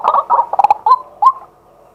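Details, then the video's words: Male white-breasted waterhen calling by day, recorded live with a set-up camera: a burst of jumbled, throaty notes near one pitch, then two separate upslurred kwak notes that fade into quiet. "เสียงนกกวัก ตัวผู้ ต่อกลางวัน"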